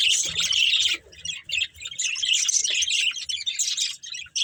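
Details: Budgerigar pair kept for breeding, chirping in a steady run of high, scratchy twitters and warbled notes with one short pause.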